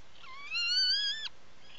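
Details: Atlantic puffin in its nesting burrow on Seal Island National Wildlife Refuge, Maine, a breeding colony island, recorded 16 July 2018 by burrow camera: one drawn-out, rich harmonic call lasting under a second, slightly rising then steady, cut off abruptly over faint hiss.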